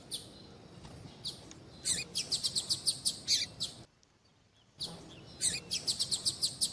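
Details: Coleiro tui-tui warm-up with a calling female: quieter, regular buzzy notes repeated several times a second, a brief silence, then the buzzy series resumes over background hiss.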